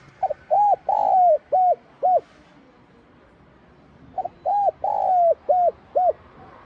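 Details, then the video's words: Spotted dove singing its 'giọng son' calling coo, gáy gọi - thúc. Two matching phrases about four seconds apart, each a light opening note, rounded coos, a long drawn coo and two short final hoots, over a quiet background. "Tiếng Cu Gáy GIỌNG SON [ GÁY GỌI - THÚC ]"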